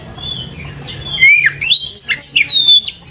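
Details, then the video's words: Lure song of an Oriental magpie-robin (kacer) for young birds to learn from: a soft drawn-out whistle, then loud clear rising and falling whistled notes in quick succession, over a steady low hum. "PANCINGAN KACER GACOR COCOK UNTUK PANCINGAN KACER MUDA UNTUK BELAJAR BUNYI DAN CEPAT IKUT GACOR"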